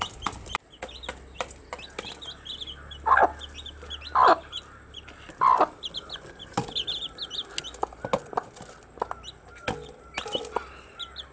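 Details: Young domestic chicks chirp in short high peeps, loosely spaced, among frequent clicks and taps; three louder rough broadband bursts break in near the start and a faint low hum runs underneath.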